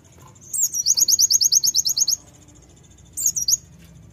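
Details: Brown-throated sunbird song for provoking birds to sing: a sharp opening note, then a fast series of about twelve high, thin, ringing notes, followed by a brief squeaky reprise.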